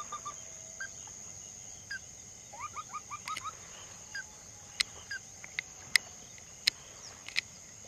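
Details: Ruddy-breasted crake calling: a quick run of short, upslurred notes partway through, then sporadic sharp clicks, over a steady high insect hum and faint background noise.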